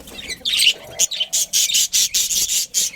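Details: Captive budgerigar breeding pair in a colony: a harsh, raspy squawk, then a run of about eight short, evenly spaced scratchy bursts, each roughly a quarter second, loud and high-pitched.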